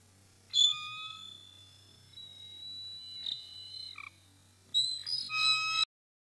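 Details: Intruder confrontation at the Decorah North Nest, early March 2018 morning: a long, thin, steady whistle from a bald eagle trailing off, a short falling note, then a final burst of harsh high squeals above a constant low hum.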